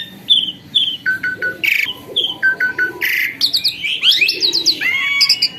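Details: A caged starling that turned tame and vocal: clear short whistled notes repeated in a run, a few buzzy bursts, then faster twittering and upslurred phrases toward the end.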